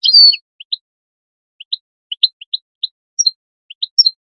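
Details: European goldfinch call, used to motivate goldfinches to sing: a brief buzzy burst, then scattered single and paired high chirps spaced irregularly, with silence between them.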